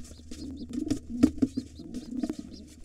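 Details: Wild pigeons at a nest holding two nestlings, a gray intruder trying to take it over while the white father fights it off; low throaty cooing notes among rustling, scuffling and wing knocks.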